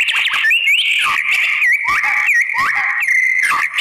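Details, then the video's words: White-rumped shama lure song: a continuous loud stream of whistles with repeated upward-sweeping and hooked notes over a steady high tone. "SPONTAN EMOSI !!! MURAI BATU APAPUN Jadi NYAUT NGELAWAN dan BONGKAR ISIAN ¦ PANCINGAN MURAI"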